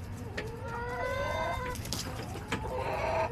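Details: Backyard chickens in July, a drawn-out rising harmonic call followed by short scratchy clucks and another bird's call at the end, over faint background hum.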